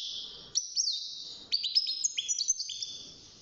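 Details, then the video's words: Six-month-old caged European goldfinch starting to sing: after a short gap, a burst of sharp high chirps and drawn, slightly rising whistled notes strung together in a fast twittering phrase, with faint low background noise. "الحسون بعد مرور ستة شهور أصبح يغرد"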